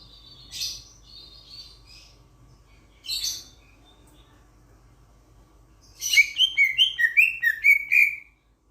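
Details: Grosbeak starling from Sulawesi giving two isolated harsh, scratchy notes, then a quick burst of about nine sharp, ringing chirps in under three seconds.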